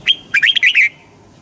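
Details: A single quick phrase from a red-whiskered bulbul: one rising whistle, then a rapid tumble of warbled, slurred notes, ending cleanly.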